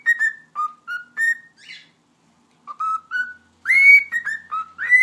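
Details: Captive cockatiel continuing its whistle show, a melodic string of short pure notes stepping up and down, a brief gap, then a louder run ending on a higher sustained whistle.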